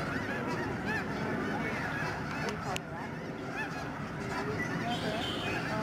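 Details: Vast flock of snow geese over a Canadian migratory bird sanctuary in the Fraser River estuary, March 24, 2011; rapid, chaotic honking from many birds at once, several calls a second, with a brief dip in volume midway.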